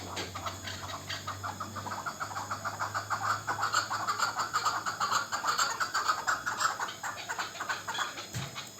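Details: Local chukar partridge, a young bird from last year's brood, giving a fast run of clucking chuk notes, about two per second, that build in loudness and become steadier toward the end; a low hum runs underneath at the start.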